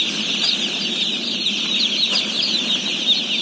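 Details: Day-old chicks, some 17,000 head, at feeding: thin, high peeps pour out continuously, a few individual rising cheeps standing out above the crowd, with one brief knock midway.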